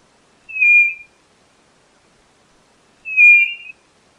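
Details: A white-bellied nothura gives two smooth, flat, high whistled notes about two and a half seconds apart, each around half a second long, against a silent background.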